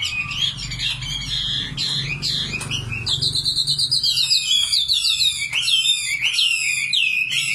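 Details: Common nightingale singing: a dense, unbroken run of varied high phrases, with quick repeated notes, sharp sweeps and chattering bursts, over a steady low background hum.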